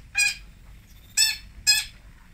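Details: Long-tailed shrike (cendet) from Singosari giving three loud, grating squawks, the first alone and the last two close together, over a quiet background.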